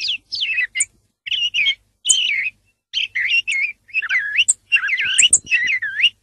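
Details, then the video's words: Whistled song thrush phrases that dip and rise in pitch, about seventy-five notes a minute, mixed with sharp, very high clicks and short buzzy bursts. "song of the thrush (canto del tordo bottaccio)"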